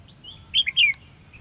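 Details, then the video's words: Red-whiskered bulbul singing competitively at a fighting trap on 13 February 2016: a short bright phrase of clear whistled notes that rise and fall, two louder slurred bursts near the middle, with low background hum. "Bẫy đấu chim chào mào"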